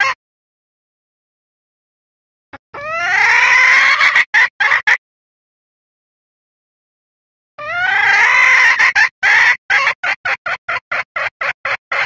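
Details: Hen red junglefowl voicing a call meant to summon the male and draw birds to a lure. Two drawn-out rasping squawks separated by silence, the second trailing into a fast series of short clucking pulses.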